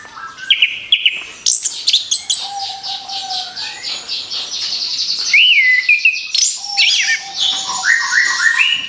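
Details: Orange-headed thrush song used as a lure for other birds: a long, rich run of mimicking whistles, rising slurs and dense high chatter, rapid and irregular, over a faint steady low tone.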